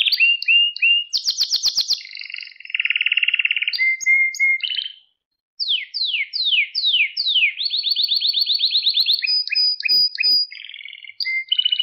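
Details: Domestic canary singing a training recording for young birds: varied tours of fast trills, a brief pause, then a series of sweeping downslurred notes and rapid rolling repeats, all high and clear.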